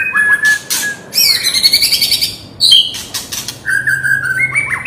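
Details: White-rumped shama singing agitatedly without pause to provoke rivals; clear level whistles alternate with harsh rasping bursts and a long buzzy trill, ending on rising whistled notes over steady background hiss.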